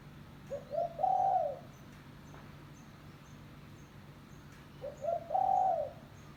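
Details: Spotted dove from a village, calling to attract other doves for trapping. Two identical phrases about four seconds apart, each with stuttering short notes and then a long rounded coo. Faint regular high ticking and low hum are heard throughout.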